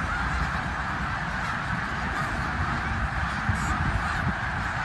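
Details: Snow geese migrating in great numbers through Bath in eastern Pennsylvania, January 2021: a din of overlapping honks at constant volume, with heavy low rumbling and a brief high scratchy sound toward the end.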